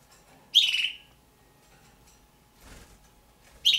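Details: Pet juvenile red-billed hornbills, two birds kept indoors, giving a coarse, rasping call of about half a second, then a soft rustle or flutter, and a second harsh call starting near the end.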